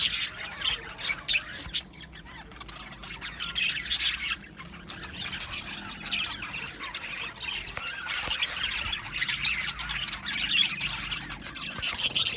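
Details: An aviary colony of Australian budgies keeps up steady, scratchy chirping and squawking, the chatter swelling louder toward the end.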